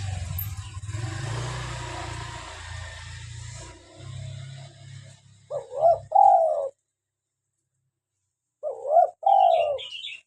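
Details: Local spotted dove in full voice giving two throaty three-part coos after a stretch of low rumbling background noise, with faint high chirps from another bird at the very end.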